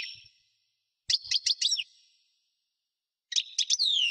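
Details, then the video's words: Goldfinch song of two tinkling phrases, each a rapid run of bright chirps with steep up-and-down sweeps, the second ending in a long descending buzzy note; nothing else audible. "Singing goldfinch - Chant chardonneret parva"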